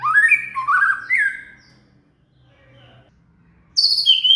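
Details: Shama (murai) singing, song used as material to train a cililin: loud slurred whistled phrases sliding upward, then a pause of near silence and a sudden bright high phrase at the end.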